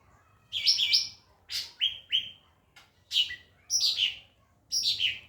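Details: Training song of a white-rumped shama for other birds: loud bright trills, two repeated upslurred whistles, and descending cascading phrases in quick succession, with little other sound.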